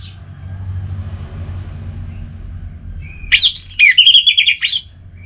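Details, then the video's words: Caged orange-headed thrush from Singaraja in North Bali gives a short burst of buzzy, warbled high notes that climb and dip over about a second and a half, with a faint low hum underneath. "Anis Merah Bunyi Santai"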